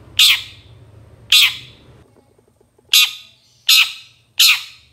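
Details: Five harsh, rasping squawks from a long-tailed shrike on a songbird-training master recording, two close together, a pause, then three more in quicker succession.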